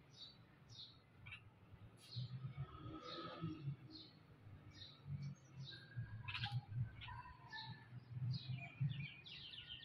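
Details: A mother bulbul with her young calls in short, bright chirps and quick whistled notes scattered through the clip, over a steady low rumble of background noise.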